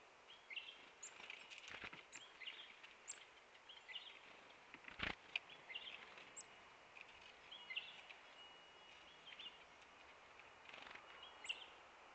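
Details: Several Black-capped Chickadees give scattered soft chips and thin high notes while grabbing seeds at backyard feeders in Manitouwadge, Ontario, on 30 November 2017, with sharp clicks and a low outdoor hiss.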